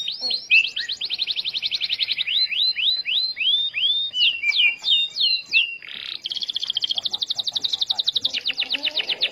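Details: Starblue canary in full song, used to prompt other canaries into singing; rapid rolling trills broken by sweeping down-slurred whistles, a brief harsh buzzy note, then another fast high trill.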